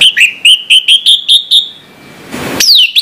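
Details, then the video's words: Orange-headed thrush in the morning repeating a short clear whistled note about every quarter second for seven beats, then a burst of rustling and a high rising-falling slur. "suara anis merah plong pagi hari bikin sengat bunyi anis merah macet"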